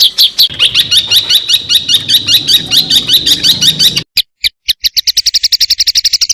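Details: Songbird's full, varied song used for training other cage birds: a fast run of high, sliding notes, a brief break, then evenly spaced sharp chips speeding into a rapid rattle.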